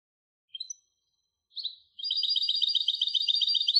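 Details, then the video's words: Goldfinch hybrid song: two short, high chirps, then a sustained rapid trill of fast, bright, repeated twittering notes. "تغريد هجين الحسون Canto De Mixto del Jilguero"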